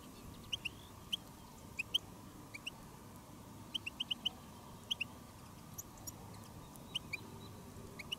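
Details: Goldfinches in the field on a day of silvestrismo, with a decoy goldfinch and a hen goldfinch on jarilla drawing in wild birds; short, high chirps in quick pairs and triplets, scattered irregularly over a steady low background hum.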